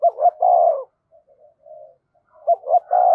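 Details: Spotted dove kept as a decoy, calling to rouse others: a low coo phrase of two quick notes and a long drawn note, a soft murmur, then the phrase starting again.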